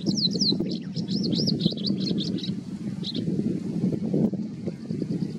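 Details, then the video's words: White-browed wagtail calling: a quick series of high, sharp, slurred chirps, each a short downward flick, then a couple of isolated notes, over a steady low rumble of running water or traffic. "White Browed Wagtail"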